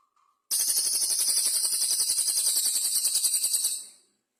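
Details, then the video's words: Cililin bird in full song, its original natural voice, delivering a single burst of about three seconds: a dense, very high, shimmering trill with fast regular pulses, ending abruptly into silence. "BURUNG CILILIN GACOR BERJEDA SUARA ASLI"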